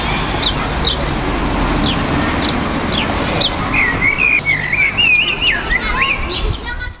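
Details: From a tree near a house, a common blackbird sings over strong noise beneath, joined by surrounding birds: sharp chirps early, then a long liquid warbling phrase of looping whistles.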